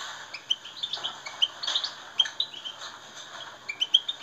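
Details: European goldfinch song used to stimulate captive birds: a busy stream of sharp, high chirps and short twittering phrases, with a few louder tweets standing out.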